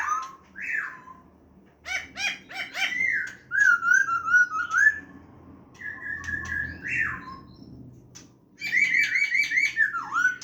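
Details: Wild-type singing ('giọng rừng') from a 'hàm rồng' laughingthrush on 29 September 2023: strong whistled phrases, some steady and some falling, broken by bursts of rapid clicking notes and a final run of descending whistles.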